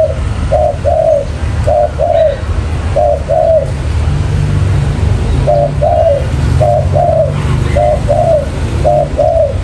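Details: Spotted dove cooing as a lure for trapping: paired soft coos, a short note then a longer falling one, in clustered phrases with a silent stretch midway, steady low background rumble.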